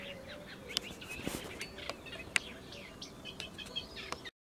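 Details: Eurasian reed warbler singing in a laurel on 21 May 2018, giving a quiet, chattering song of scratchy, high notes strung together at an uneven pace, over a low background rumble.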